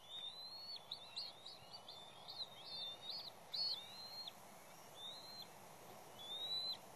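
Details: Bald eagles at the West End nest, a restoration-project nest visited by an intruding third juvenile. A burst of squeaky, whistled chattering notes runs for about four seconds, then falls quiet, with scattered single calls after it over low background noise.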